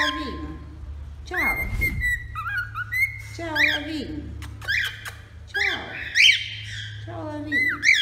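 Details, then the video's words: Male cockatiel singing indoors: whistled notes mixed with chirpy squawks and quick rising-falling slurs in repeated bursts, a person's voice heard at the start, low room hum throughout. "Calopsita Macho Cantando Muito"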